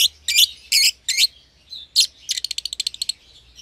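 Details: Caged young lovebird pair, euwing green opaline with red-eyed albino: several loud rasping chirps followed by a rapid rattling trill of short clicks.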